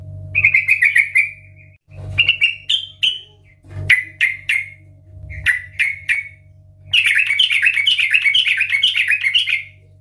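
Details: Sooty-headed bulbul, 'ngeplong' style, loud lure song: a rolling phrase, scattered sharp downslurred notes about every half second, then a sustained fast bubbling trill, with a low motor-like hum throughout.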